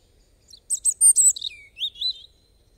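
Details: European robin singing a crisp high introduction, a falling slurred note and a delicate rippling trill that trails away into silence.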